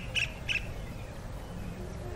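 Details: A kingfisher calling to its mate gives two quick, harsh, shrill notes about a third of a second apart, then falls silent over a low background rumble.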